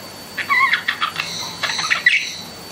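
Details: Short bursts of pet budgerigar chatter, raspy chirps in quick clusters over a quiet room background.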